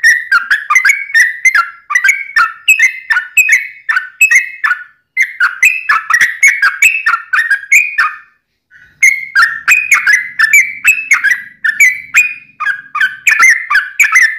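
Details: Yellow-vented bulbul delivering a long ropelan song for training birds and luring wild bulbuls: a rollicking run of liquid whistled notes, dense and chattering, with a short gap about halfway before it resumes.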